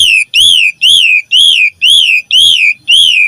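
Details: Asian pied starling in persistent song. Ringing arched whistles swell and drop, evenly repeated about twice a second, with faint low knocks in the background.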